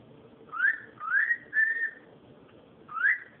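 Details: Cockatiel calling, four rising whistled notes in about three seconds, the first three close together, the last after a pause, each sweeping upward then levelling off, over a low background hum.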